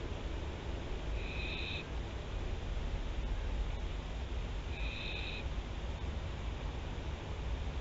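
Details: Barn owl at Théding, France, filmed 24 September 2021 by a nest camera: two drawn-out rasping hisses about three and a half seconds apart, with a constant deep electrical hum throughout.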